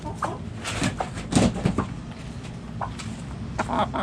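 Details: Backyard chickens: short, scattered hen clucks in irregular bursts, with a low steady background rumble.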